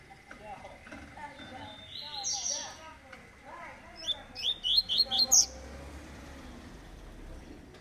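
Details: Double-collared seedeater, eight months old, in tui tui (vibro) song style: a few thin high notes, then a fast series of about five sharp, clipped chirps in quick succession, with soft human voices faintly behind.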